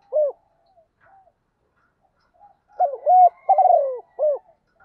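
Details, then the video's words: Spotted dove used as a lure bird, cooing to call the flock in 'gọi một hậu' fashion: a lone end note, a pause with faint murmurs, then a full phrase of short notes, a warbling drawn-out coo and a sharp final note. "tieng gáy gọi một hậu. tiếng chim cu gáy kích bổi hiệu quả"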